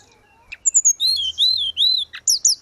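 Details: Grey-cheeked bulbul in full gacor song, used as training audio for caged birds. A couple of high chips lead into a series of loud, rounded, arching whistles, closing with quick sharp notes.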